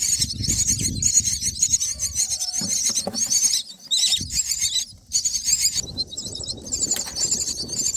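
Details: Baby mynas in the nest on day nine, begging loudly as food arrives: continuous shrill, grating high squeals in pulsing bursts, broken by two short pauses, with low rustling and a few brief lower notes.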